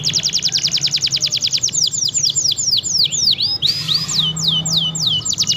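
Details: F1 canary in steady, insistent song serving as a training model: a fast stream of sharp, downward-sweeping notes, widening into looping whistles, with a brief noisy burst and low hum.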